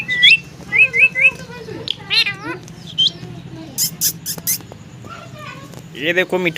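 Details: A parrot eating food gives loud, shrill, wavering squawks and repeated rising chirps in groups of three, plus clicking, scratchy sounds and a harsh burst at the end.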